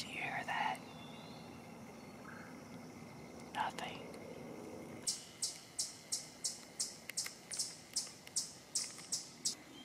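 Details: Red-winged Blackbird in the north end of the OTT Biological Preserve, Battle Creek, Calhoun County, Michigan, near power lines and a cargo rail line, giving sharp, high chipping notes about twice a second after a brief whisper; faint steady hum behind.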